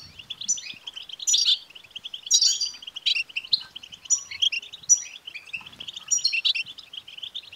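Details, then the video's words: European goldfinch song used to excite a male goldfinch into singing: lively, rapid twittering with repeated high buzzy flourishes spaced about a second apart over a constant chatter. "بتبتة لتحفيز الحسون سوف يكسر القفص لأن دكر الحسون لن يصمت دقيقة واحدة بعد سماع هده البتبتة"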